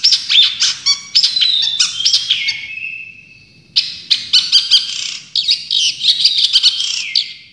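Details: Champion Long-tailed shrike, song full of tembakan: quick chips and buzzy phrases, then a drawn-out falling whistle that fades, followed after a short gap by a renewed burst of rapid, varied notes.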